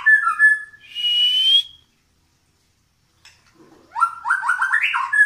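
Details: New Medan white-rumped shama pushing its tail while in full song: a smooth whistle, then a rising whistle, a pause, and a quick ascending series of stepped whistled notes.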